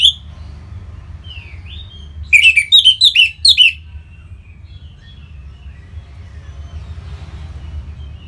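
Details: Orange-headed thrush song for prompting other birds into song: thin whistled slurs open and close a quiet stretch, with a central burst of six fast, buzzy-edged warbled notes in just over a second.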